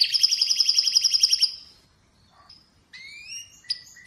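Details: Atlantic canary delivering a fast rolling trill of repeated notes for about a second and a half, followed by a pause and a few separate rising whistles and chips.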